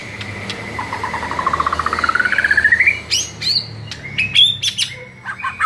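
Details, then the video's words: ['White-rumped shama song used as a training recording to provoke a shama into answering: a long, rapid trill that rises steadily, then sharp, varied whistled notes and chips.'] "SEKALI DENGAR Murai LANGSUNG NARUNG dengan MASTERAN satu ini"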